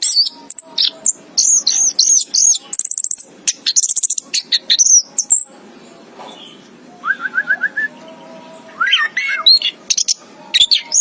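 Orange-headed thrush giving rapid, varied high whistles, slurred chirps and sharp notes in quick bursts, then a short pause and a lower, evenly repeated run of notes.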